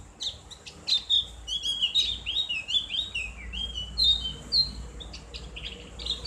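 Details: Javan white-eye song used as a tutor recording for caged birds: a fast, continuous run of high, thin whistled and chirping notes, many short slurred phrases tumbling one after another with barely a pause.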